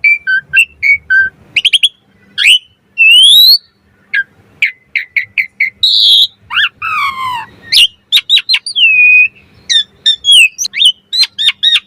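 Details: Asian pied starling singing a 'mompa' variation meant for tutoring and luring other starlings: irregular mix of short chirps, rising and falling slurred whistles and brief harsh bursts, with gaps between phrases.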